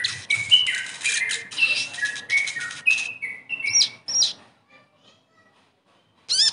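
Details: Sogon bird singing, used as therapy to get a bird that has stopped singing to sing again: dense, rapid run of high chirps, whistles and trills for about four seconds, then quiet, then a brief high burst at the end.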